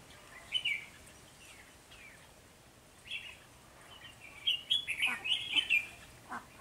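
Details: Red-whiskered bulbul decoy heard while trapping wild bulbuls early in the season, 3 November 2020; scattered whistled phrases, then a denser burst of bright chirping notes near the end over soft background noise.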